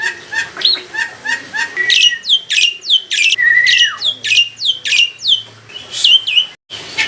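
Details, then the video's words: Mature black-winged myna from a home collection, singing full of varied phrases to provoke a response. Lower repeated whistled notes give way to a rapid string of high, steeply falling notes, some with a trailing lower slur. "PANCINGAN BURUNG JALAK PUTIH FULL ISIAN"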